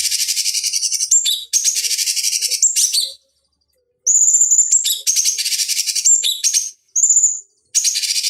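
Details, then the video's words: Bulbul known as cucak cungkok, used as a master recording for fighting-bird training, delivers continuous rasping trills broken by sharp whistled notes, then a pause and renewed whistle-and-trill phrases. "Masteran Pancingan Cucak Cungkok Ampuh Untuk Terapi Dan Masteran Burung Petarung"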